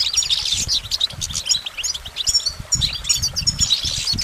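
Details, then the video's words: Goldfinch song of jumbled, fast twittering and buzzy high notes in bursts, with some low thumping noise below. "Goldfinch Motivation Performance"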